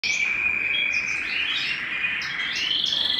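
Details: Canary singing at home: a sustained high whistled trill holding steady, with brief higher notes breaking in above it, continuous and bright throughout.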